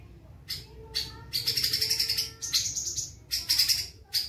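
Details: Black-tailed white-rumped shama singing a fast, tightly packed fighting-style song with harsh tones: rapid bursts of high, buzzy chattering notes repeated in quick runs, over a low steady background hum.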